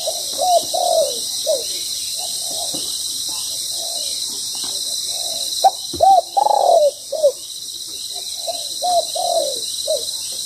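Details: Spotted doves calling at a ground-decoy trap, the decoy bird molting and wary; repeated soft coo phrases throughout, a loud burst of drawn coos around the middle, constant high hiss behind.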